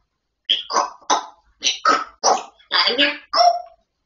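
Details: Grey parrot talking: eight rapid, evenly paced speech-like syllables with broad, breathy texture, ending on a tonal note.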